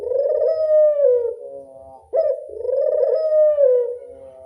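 A collared dove gives two long, low, purring coos, each about two seconds and slightly falling at the end, with faint soft thumps underneath.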